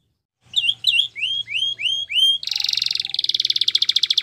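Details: After a moment of silence, a canary gives several rising whistled slurs for training, then breaks into a steady, rapid, rattling trill.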